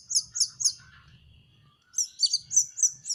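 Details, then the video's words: Juvenile canary practising song: three high chirps, a brief quiet stretch with faint lower twittering, then a run of six more rapid bright chirps. "BELAJAR MELOLOH ANAKAN BURUNG KENARI"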